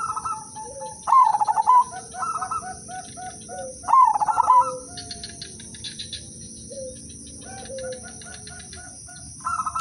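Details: A zebra dove of the udanmas silver kind sings a lure song to start other doves singing: two loud pulsed, rolling coo phrases early on, then softer scattered coos and short notes, over a faint steady high hum.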